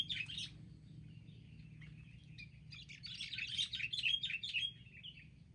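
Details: Several wild sooty-headed bulbuls attacking together in a group, giving bright, jumbled chattering and chirping calls in two bursts, loudest toward the end, with a quieter patch between them.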